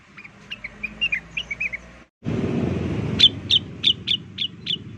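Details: Blue-winged leafbird (cucak wilis or rengganis) used as a lure: a jumble of short warbled whistles, then an abrupt cut to a louder, noisier section of evenly spaced, piercing high chips about three per second.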